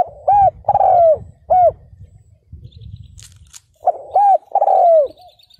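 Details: Lure call of a decoy spotted dove aimed at wild males: two phrases of arched coos and long falling notes with a pause between, low rumble beneath, and faint high twittering of another bird near the end.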